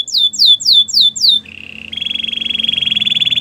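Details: Belgian canary sings several falling whistled sweeps, then shifts into a sustained, pulsing buzzy trill that carries to the end.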